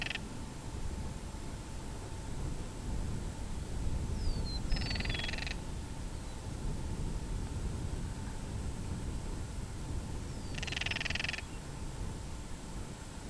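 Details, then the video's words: Northern Crested Caracara of the falcon family, heads thrown back when disturbed in breeding season, filmed with a Canon SX70HS: brief rattle at the start, then two hollow rattling bursts about six seconds apart, with thin bird whistles and low rumble. "Crested Caracara Calling Sounds"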